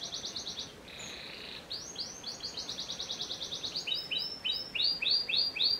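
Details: Panda canary song, kept without cage bars: rapid high trills, a brief buzzy roll, then a long run of rolling chirps shifting to slower, louder upswept notes at the end.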